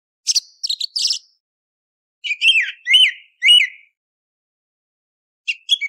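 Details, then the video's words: Song thrush singing before sunrise, played for hunting: a bright high phrase of quick notes, then a trio of matching slurred whistled notes repeated about every half second, a pause, and another phrase starting, with no background sounds. "أفضل صوت سمن للفجر - تسحيب قبل طلوع الشمس Best Song Thrush Sound For Hunting Before Sunrise"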